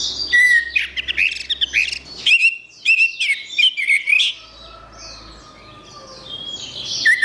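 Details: Singing orange-headed thrush pouring out loud, rapid, varied phrases of chirps, trills and whistles, with a steady thin whistle underneath in the second half and a faint low hum at times.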